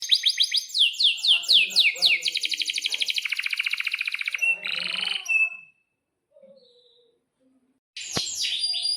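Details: Canary singing in breeding condition, a long rolling song used to tutor young canaries: a run of rapid falling whistled notes becomes a fast buzzy high trill, then a pause before a fresh burst of bright twittering.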